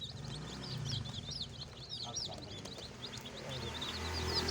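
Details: Chorus of baby chickens chirping, with dense, high, squiggly peeps running without pause over a loud low rumbling background.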